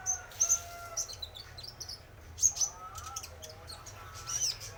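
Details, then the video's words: Male spotted konin sunbird, played as a lure, gives very high, clipped squeaks in pairs, while lower whistled notes from other birds run underneath. "Pancingan Suara Burung Konin Trotol Jantan"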